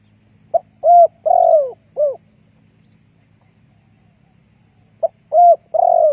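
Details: Spotted dove decoy singing to attract wild doves, two phrases of mellow coos, each a clipped opening note, a level hoot, a long downward-sliding coo and a short final note, with faint low humming behind.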